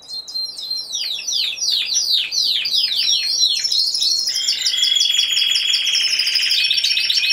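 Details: Timbrado Español canary, a single bird in category C2 at a singing competition and show, recorded 26 November 2015. Fast descending whistled notes repeat about three per second, then shift into a dense, high, metallic trill.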